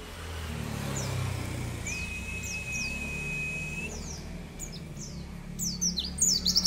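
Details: A mountain white-eye on a tutor recording gives quick, high, down-slurred chirps, then a long, steady whistled "cerrr" note, then a rapid burst of sharp twittering over a low rumble.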